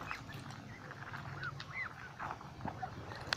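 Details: Ducks in a flock by a lake calling: scattered short nasal quacks and a few arched, slurred notes, spaced irregularly, with a steady low hum and outdoor ambience behind.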